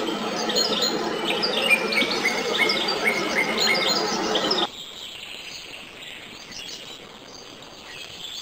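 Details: European goldfinch twittering: quick, bright chirps and trills, about four per second, for the first half. The sound then cuts off abruptly, leaving quiet background with faint high notes.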